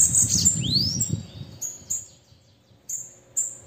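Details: Calling female bananaquit: a brief high buzzy burst and a rising swept whistle over low rumbling noise, then a few isolated, thin, very high chip notes.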